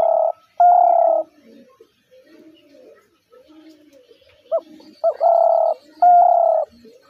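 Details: Spotted dove calling as in the hunter's dove call: repeated deep, sustained coos in pairs, each opened by a short hooked note, with faint low murmuring background sounds between the phrases.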